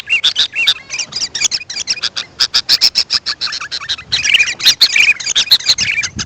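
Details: Sooty-headed bulbul calls, played as a lure to attract wild birds: a fast, uneven stream of harsh, dry chips, several per second, broken by a few short, bright whistled notes.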